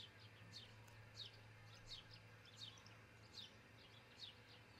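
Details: Osprey at a nest in Charlo, Montana, caught by a nest camera around 5 a.m. on 22 June 2018: a series of high, thin, downward-slurred chirps repeating about every 0.7 seconds over a steady low hum.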